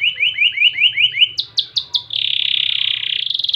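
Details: Crested canary singing kenari jambul loper cengkok gurih: a chain of quick rising notes, several louder sharp chirps, then a sustained buzzy rolling trill.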